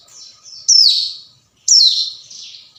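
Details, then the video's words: Hill prinia calling a rival, used as a lure: two loud, high, harsh notes, each sliding downward and trailing off, spaced about a second apart, with fainter buzzy sound between them. "suara panggilan ciblek gunung"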